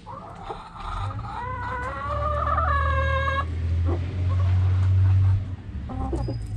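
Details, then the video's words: Backyard chickens, hens and roosters: a drawn-out harmonic crow rising then holding steady for about three seconds, followed by short clucks, over a loud low rumble of wind or handling noise. "Hens Clucking Roosters Crowing"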